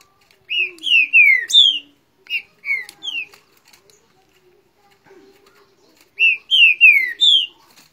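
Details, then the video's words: In Rio de Janeiro a green-winged saltator sings against its neighbour, repeating a four-note phrase of falling whistles, a shorter three-note reply, a quiet gap, then the four-note phrase again. "Trinca ferro baderna com o vizinho"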